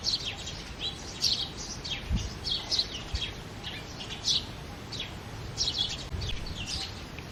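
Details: House sparrows chirping in early morning: scattered short high chirps from several birds, some in quick pairs, over steady low rumbling background noise.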